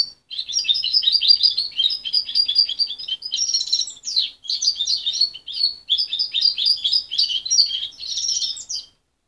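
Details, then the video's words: Continuous lively twittering from a young goldfinch hybrid, parent-reared and removed at 23 days: about nine seconds of rapid high chirps and buzzy trills with only brief dips, its song still unsettled. "Mixto de jilguero joven"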